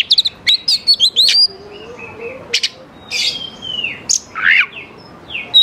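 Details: Energetic oriental magpie-robin singing, a lure for young forest birds to reply; quick clusters of sharp chirps, then a long thin falling whistle and a rasping rising phrase, separated by short pauses.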